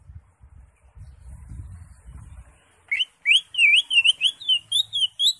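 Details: A greater green leafbird (Chloropsis sonnerati) sings a fast run of loud, wavering whistled notes, about three per second, after a few seconds of low rumbling.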